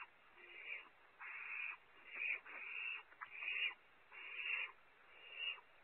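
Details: Barn owl owlets at Audubon Starr Ranch, California, seen on a nest webcam competing for prey as owlet #1 keeps it; harsh, hissing screeches of about half a second repeat at uneven intervals, seven bursts in all.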